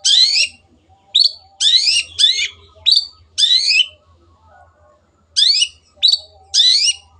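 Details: Cendet tutor song in 'gacor' style: loud raspy bursts alternate with short rising whistles in irregular phrases, with a silent stretch of over a second in the middle.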